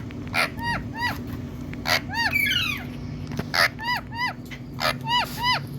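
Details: Natural green Indian talking parrot repeating short arched, squawky notes about three times a second. Harsh broadband bursts and a quick run of descending whistles break in midway. A low background hum is present throughout.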